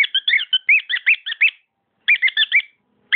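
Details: Pet cockatiel warbling a rapid jumble of rising and falling whistled notes, stopping briefly, then resuming the same quick phrase.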